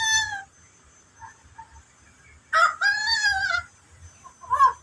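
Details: Endemic bird called koak kaok locally: a brief nasal note at the start, a quiet gap with soft notes, then a loud, long, wavering harmonic call of about one second, and a short final burst.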